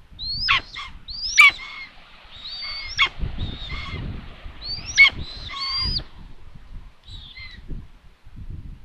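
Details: Common buzzard at its nest in Tiszalök, Hungary, on June 21, 2022, during a food delivery to an empty nest; piercing mewed calls ending in steep downward slurs, in irregular bursts, with low bumps and thuds from the nest.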